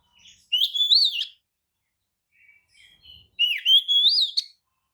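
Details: Lure song of an Oriental magpie-robin, used to make rival kacer sing back and spread their tails; two rising, warbled whistled phrases about two seconds apart, with soft notes between.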